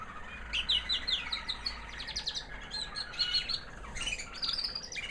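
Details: After the molt, a white American Singer canary hen that raised young last year sings high and sweet, with quick chirping notes running into fast, rattling trills and twitters.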